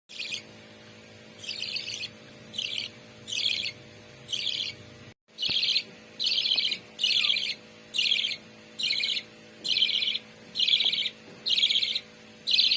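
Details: Budgerigars in a breeding setup of three pairs with a few chicks give bursts of bright, scratchy chirping chatter, repeated about once a second.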